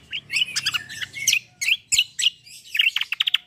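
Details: Singing Black-winged myna in chatty, combative rolling form: jumbled harsh chatter and whistles, ending in a fast trill of short, sharp repeated notes.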